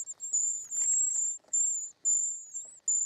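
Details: Nestling short-toed treecreepers beg during feeding: long, sibilant high-pitched notes held for up to a second, separated by brief pauses, with faint rustling.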